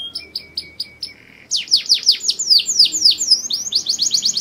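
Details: Canary song beginning with soft spaced two-tone chips, then bursting into loud repeated steep downward sweeps that quicken into a fast series of high slurred notes.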